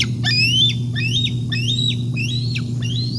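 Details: Bald eagles at the Decorah North nest on 08 05 2021, a day of fish deliveries and bathing; thin, high piping whistles repeat about every half second in a steady series over a constant low electrical hum.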